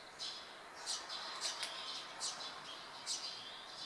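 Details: Eurasian tree sparrow fledglings waiting to be fed atop a board fence in Japan, early July 2015; sharp high chirps every half second or so over faint background hiss.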